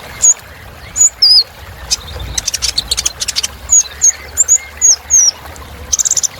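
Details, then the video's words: Sunbird filler song used to excite other birds: thin high whistled slurs, some rising then falling, spaced irregularly, with a stretch of dry clicking noise in the middle. "Suara Kolibri Ninja Isian Mewah Bikin Burung Semangat"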